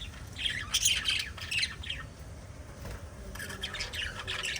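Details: Five pet budgies in a family group chirping: bursts of sharp, high chattering chirps and short squawks in quick irregular succession, with a faint low hum underneath.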